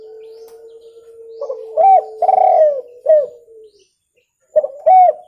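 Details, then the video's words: Spotted dove call for luring: over a steady low hum, loud low arched coos and a longer purring coo, a short pause, then another arched coo. "SUARA TEKUKUR JERNIH COCOK UNTUK PIKAT"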